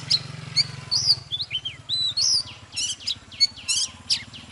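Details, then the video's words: Oriental magpie-robin, old and wild-caught, in energetic morning song meant to stimulate others. Clear slurred whistles and warbled phrases give way to quick chattering chips, all over a constant low droning hum. "Chòe than Già rừng hót múa CỰC ĐỈNH || Chòe than Căng Lửa || Kích chòe than HÓT SÁNG"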